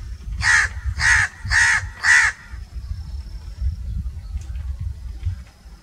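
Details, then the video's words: Crow giving four loud, harsh caws in quick succession about half a second apart, over a low rumbling background noise, then quieter ambient sounds. "1 hour crow crowing sounds - one hour crow nonstop crowing voice - natural crow bird sounds"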